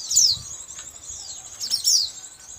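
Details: White-eye calls played as a trapping lure: two sharp, high descending chirps separated by a thin sustained twittering, bright and piercing, over a quiet low rumble.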